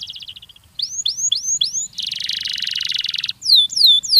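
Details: Canary song meant to stimulate young canaries to sing: a fast purring trill, then repeated upward-swooping whistles, a long dense buzzy rattle, and finally quick descending ringing notes, all clean and high-pitched.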